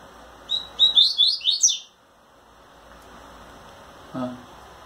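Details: During wing-trembling courtship of a female, a brown-plumaged captive double-collared seedeater gives one short burst of rapid, high slurred whistles lasting about a second, followed by quiet room noise and a brief low sound.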